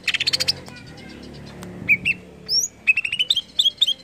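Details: Greater green leafbird (cucak ijo) song, used to stimulate other leafbirds to sing: a quick burst of rapid, high, chattering notes, then a varied run of clear slurred whistles, some rising, some dropping, sung in short phrases with brief pauses.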